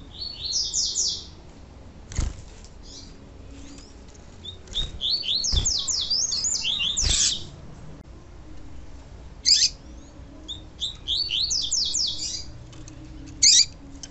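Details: Pure tui tui song of a double-collared seedeater, paired with female calls meant to excite the male: repeated phrases of quick, high, slurred whistles in short bursts, broken by loud knocks and soft clicks.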